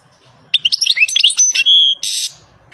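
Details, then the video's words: Rapid, high twittering song of a wild European goldfinch: quick varied chirps, a thin held whistle, then a short harsh buzzy note. "تغريد طائر الحسون The song of the goldfinch Le chant du chardonneret El canto del jilgero"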